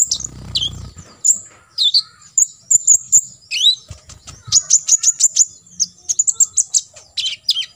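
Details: Olive-backed sunbird (kolibri ninja) in tembakan isian style for contest training: a soft low rumble at the start, then high chirps growing into fast, sharply repeated ticking notes with short gaps.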